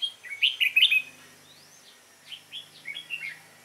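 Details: Competition singing from a caged, wild-caught Red-whiskered bulbul on 22 October 2018, a sunny, cold day: a loud opening flurry of rich warbled whistles, then a softer upward slurred whistle and several spaced chirping notes.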